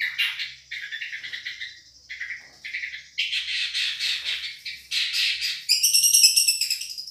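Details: Madura long-tailed shrike, masteran tutoring recording: scratchy chattering phrases broken by short gaps, closing in a high, thin, rapid trill-like series.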